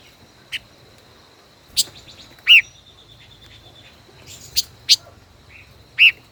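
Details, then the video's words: Five-colored bird, a caged decoy held more than a year, duelling in song: scattered sharp chirps and two louder rich downslurred notes near the start and end, with a constant high whine behind. "Chim ngũ sắc hót đấu ,chim mồi hơn 1 năm lồng hót đấu căng đét luôn"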